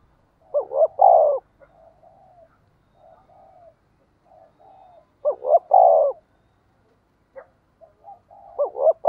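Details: Spotted dove kept as a decoy bird, calling to lure wild doves. Three loud, low cooing phrases arrive about every four seconds, each a quick rising double coo and then a long hoarse coo. Soft, short coos fill the gaps between phrases.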